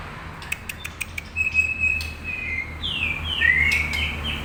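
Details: Long-tailed Medan white-rumped shama singing at full intensity with rich fill-in phrases, a lure to prompt other birds to reply: a few sharp clicks, then a long steady whistle followed by bright swooping whistled slurs, with a faint low hum underneath.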